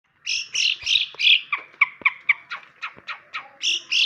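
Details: Long-tailed shrike (cendet) singing a lively medley of short chirps and warbled notes, high and bright, delivered in quick bursts about three per second, with a few lower clicks mixed in; intended as a sound for other birds to learn.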